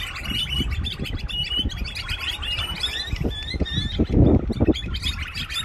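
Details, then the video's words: Birds singing in the evening: a steady stream of short, high, bright chirps and tweets from several birds, over a constant low rumbling background noise with occasional louder thumps. "Beautiful birds sounds at evening"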